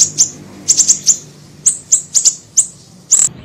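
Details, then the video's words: Siri-siri bird in a lure recording: rapid clusters of shrill high chirps, ending in a slightly longer, flatter high note. "PANCINGAN PIKAT SUARA BURUNG SIRI SIRI KECIL"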